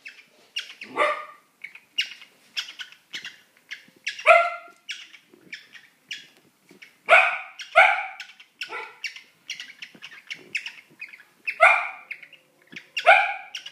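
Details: Pet cockatiels mating give harsh, downward-sweeping squawks mixed with quick, scratchy chirps in an irregular series.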